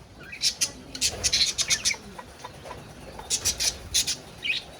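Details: Budgerigars kept in a cage together with a rabbit, chattering in clusters of sharp, high squeaky chirps, one busy run between one and two seconds and another between three and four and a half seconds.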